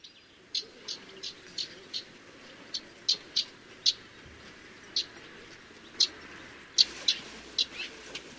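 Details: Swallow in Russia giving short, high, clipped chirps, about one a second at an uneven pace, over a quiet background.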